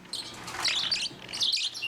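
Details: Young hand-fed Bourke's parakeets, also called grasskeets, chirping indoors as they are carried to the table for feeding, youngest first; bright high twittering notes in quick bursts with a short pause midway, soft low voice faintly underneath.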